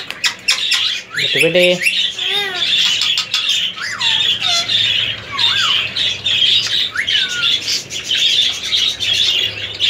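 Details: Three-year-old male ring-necked parakeet kept as a semi hand tamed pet, producing continuous harsh raspy chatter overlaid with several short downslurred whistled notes and squeaks, with a noisy room background.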